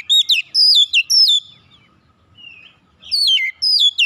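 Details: Riled oriental magpie-robin throwing out an aggressive challenge: bright, stepped whistles in two quick bursts separated by a short, quiet pause.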